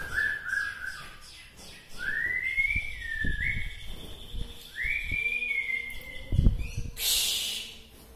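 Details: Song of a local white-rumped shama from Bahorok, said to stir up rival shamas: a series of sustained clear whistles, each swelling and sliding downward, separated by short gaps, with faint thumps and a loud rustling burst near the end.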